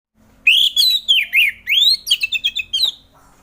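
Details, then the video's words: Orange-headed thrush, a bird singing in the loose, relaxed ngeplong style, used as morning therapy to coax reluctant thrushes into song: clear whistled slurred phrases rising and falling, then a quick run of short repeated notes. "Kicauan Anis Merah || Ngeplong Santai"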